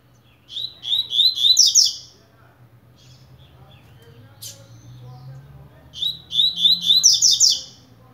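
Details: Double-collared seedeater of the coleiro blade type, warming up, repeats a fast high chirping phrase twice about four seconds apart; between them a sharp click and a faint low murmur.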